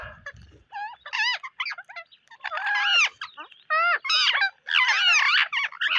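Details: On a rainy day, parrots give loud, harsh squawks with wavering rising and falling pitch. The calls come in dense overlapping bursts, several birds answering each other in quick succession.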